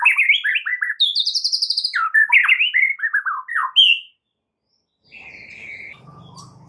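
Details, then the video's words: Training song of a White-rumped shama for caged birds: fast varied whistles and rolling chatter, a high buzzy trill, falling slurred notes, then a pause and a faint, softer phrase with low background hum. "Dengan CEPAT murai batu AKAN EMOSI dan IKUT GACOR dengan MASTERAN murai batu ini"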